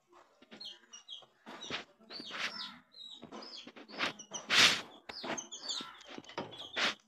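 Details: High, short peeps from coloured baby chicks come in scattered clusters, interrupted by loud bursts of scuffling and handling noise.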